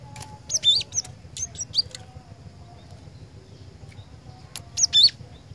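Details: Cinereous tit (glatik batu), described as a vigorous, prolific singer; high, sharp chirping phrases of quick down-slurred notes come in three short bursts over about five seconds, over a low steady hum.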